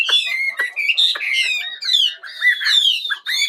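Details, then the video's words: Morning bird song: loud, harsh yet musical warbled phrases with downward-slurred whistles and squawky notes, delivered almost without a break. "Mời ae cùng nghe chim hót"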